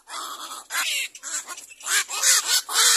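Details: Little black cormorant about to feed its young: harsh, nasal squawking calls with arching tones, several drawn-out notes in quick succession with short gaps, loud and close.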